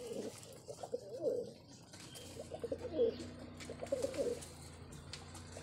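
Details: Kept pigeons receiving vitamin medicine for their health; several soft, throaty coos come in short bursts, with quiet pauses between groups, over faint room noise.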